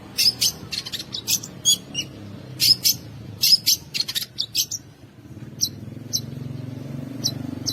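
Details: A long-tailed shrike, prized contest singer, gives a mimicry-filled song with sharp 'shot' phrases to stir rival birds: clusters of scratchy, high chattering notes with quick clicks, fading to sparse faint notes over a low background hum.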